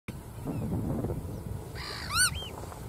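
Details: Bar-tailed godwit giving one brief, loud nasal call with a rising and falling shape and rich overtones. Low rumbling background noise runs through the recording.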